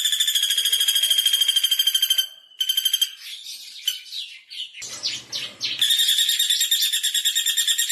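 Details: Common flameback call kept as a tutor recording to make other birds sing: a fast, dry, evenly pulsed rattle of sharp notes runs for two seconds, is broken by a jumble of varied chirps, then resumes strongly.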